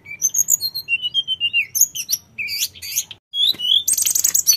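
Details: Sooty-headed bulbul, a mountain bird singing nonstop, recorded as a lure to make untamed bulbuls answer quickly: busy high chirps and whistled slurs, short falling notes and buzzy bursts, a brief pause near three seconds, then dense bright chatter.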